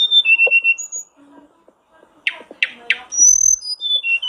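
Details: Blue flycatcher sound played as a lure to make other birds sing quickly: clear whistled notes dropping in pitch, three sharp harsh chips in the middle, then more high whistles sliding downward.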